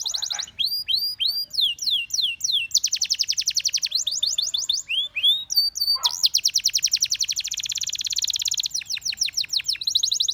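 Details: Singing canary delivering a run of separate high descending whistles, then long rattling trills of rapidly repeated notes, broken by looping slurred notes before another fast, dense roll.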